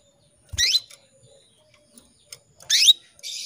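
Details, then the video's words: A female canary summons a male with two loud, sweeping chirps about two seconds apart, then ends with a harsh buzzy burst. "PANCINGAN KENARI BETINA MEMANGGIL JANTAN"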